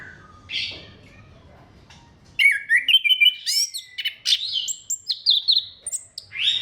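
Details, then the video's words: Orange-headed thrush in full song, used as a lure to get other thrushes singing: after two quiet seconds, a dense run of varied whistles, trills and sharp rising and falling notes, clear and high. "KICAUAN SEBENING KRISTAL ANIS KEMBANG GACOR PANCINGAN MANJUR"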